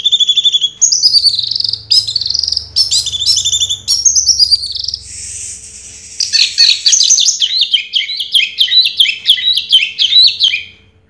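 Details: Long continuous song from a 2022 first-place Orange-headed thrush: high warbled phrases and buzzy passages, then a fast, steady series of repeated twittering notes that fades at the end; a low hum lies beneath.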